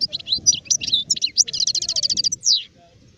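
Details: Adult European goldfinch in 2019 singing a lively, high-pitched twittering phrase of varied chirps, then a rapid even trill of about a dozen notes, ending in a drawn-out, slurred buzzy note.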